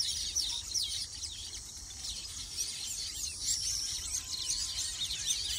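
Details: A nesting group of Baya weavers produces busy, overlapping squeaky chirps and twittering notes without pause. A constant high insect-like drone sits in the background.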